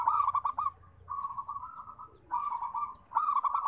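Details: Zebra dove song used as therapy for reluctant singers: bubbling pulsed coos, then a long even purr, then further rapid rolling coos repeated in close succession.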